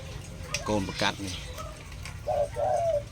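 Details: Spotted dove (Spilopelia chinensis), a young bird just starting to call, giving two soft, low coos in quick succession, the second longer and slightly falling; a man speaks just before.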